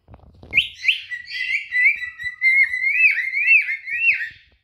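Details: Adult cinnamon cockatiels, two birds, courting with song: a downward whistled swoop, then a chain of rising, looped whistle notes that climb and fall repeatedly.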